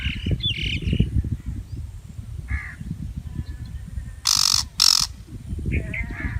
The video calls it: shrike bird (butcher) bird sound effects